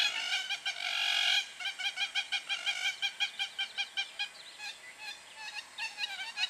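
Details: Hamerkop standing on a road in Liwonde National Park, Malawi, giving a fast series of nasal, harmonic yipping notes, about three per second. A longer blurred burst opens the series, then the steady pulsed notes fade slightly toward the end.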